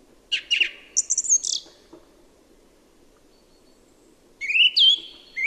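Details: Song thrush singing in Birmingham and the Black Country, one bird repeating phrases about twice before moving on: sharp high notes, a whistled pair, then a rising whistled phrase after a pause, against a faint low hum.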